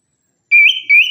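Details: Orange-headed thrush (anis kembang) lure recording: two loud clear whistled notes, each held steady then stepping slightly upward, following a brief silence.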